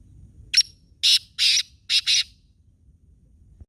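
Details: Black francolin in Khushab delivering one full grating phrase of five notes: a short sharp opener, two extended raspy notes, then two close rough notes. Near silence follows apart from a low hum.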